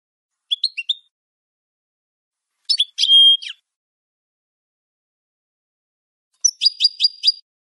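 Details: Sparse European goldfinch phrases for training caged birds: a brief twittered figure, a drawn-out buzzy tone with chirps, then a quick run of five sharp repeated notes after a long silence.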